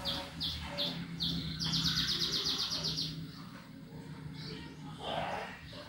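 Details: Canary song in the ticking ngetik style, played to get other birds singing: a few separate high notes, then a fast, even buzzy trill for about one and a half seconds, then scattered softer notes over a low hum.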